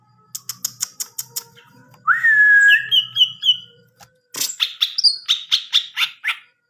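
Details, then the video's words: Greater green leafbird singing: a series of sharp clicking notes, then a long rising whistle into a run of repeated chirps, and after a short pause a bright stream of varied, rapidly repeated whistled notes. "Burung Cucak Ijo"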